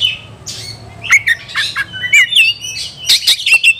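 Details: Excited white-rumped shama looking for a rival to fight: scattered whistles, slurred chirps and harsh rasping notes in irregular bursts, growing denser toward the end.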